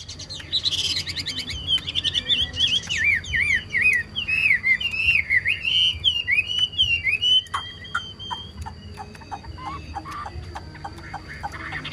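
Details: Chinese hwamei, a prized cage songbird, singing a long loud sequence of zigzagging whistled phrases repeated rapidly for about seven seconds, then tailing off into scattered short notes and clicks.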